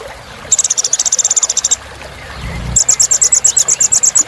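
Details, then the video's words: Kolibri Ninja sunbird filler song: two long runs of rapid, evenly spaced high ticking notes, about three per second, separated by a short pause. "Suara Kolibri Ninja Isian Mewah"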